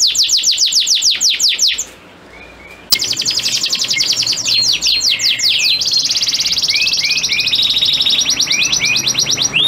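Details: Male canary singing to a receptive female ready to mate: quick descending whistled notes in long runs, a short pause, then dense rolling trills with upward-curved chirps woven through.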